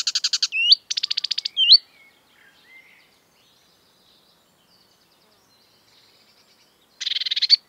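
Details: Marsh warbler in the breeding season, a species that mimics European and African birds, sings rapid, high, buzzy trills in quick bursts, broken by sliding whistled notes, then a pause before one more chattering burst.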